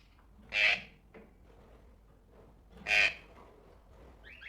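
Tropical birds give two loud, harsh, raspy squawks about two and a half seconds apart, with a faint, high chirping note at the very end.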